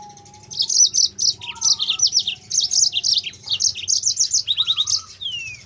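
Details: High, lively yellow-fronted canary song meant to train other canaries: continuous clusters of sharp chirps, short trills, a soft warbled lower phrase midway and a final long descending whistle.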